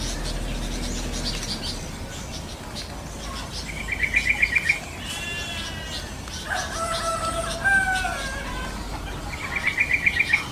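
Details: Wild Yellow-vented bulbul giving short, rapid bursts of bubbling, chirpy notes, one early and one at the end. Between them, other birds add whistled and harmonic calls over a soft natural background.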